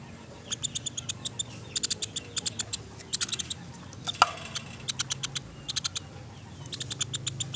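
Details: Sunda pygmy woodpecker giving short volleys of rapid, dry ticking notes, about eight bursts evenly spaced, one sharp snap in the middle, over a faint low hum.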